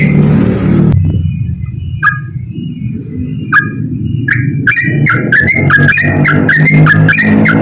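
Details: A yellow-vented bulbul, singing often, gives a long ropel song used as a lure for bulbuls slow to sing: a few scattered chirps give way to a quick, tumbling series of notes, with strong low rumbling noise throughout.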